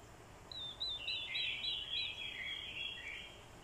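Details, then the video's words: Orange-headed thrush fighting song from a decoy bird, triggered by a female's call: a high opening whistle, then a continuous falling and rising warble running for about three seconds. "Chim Quế lâm mồi, hót đấu cực hay. kèm tiếng quế lâm mái, kích trống hót đấu hay."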